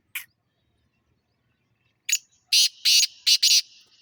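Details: Good-breed black francolin: one brief scratchy note, a pause, then a loud rasping phrase of several harsh, buzzy notes in quick succession. The bird calls in quiet surroundings.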